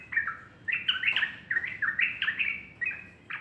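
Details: Sooty-headed bulbul morning song made of clear, rolling whistled phrases with quick upward flicks, each group of notes repeated at short, fairly even intervals.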